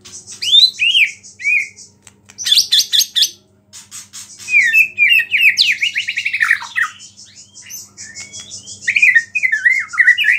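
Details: White-rumped shama belting out a song laced with small-bird phrases, said to provoke rival shamas. Loud arched whistles and high pulsed bursts are followed by a descending rapid trill and rolling warbled phrases.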